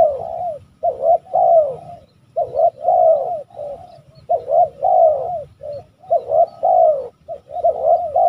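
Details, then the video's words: Spotted dove, likely a male used as a lure bird for trapping and contest training, giving deep, hoarse cooing phrases, soft rolling coos repeated in steady bursts with brief pauses between. "Bl tua bersuara basrok bodi super"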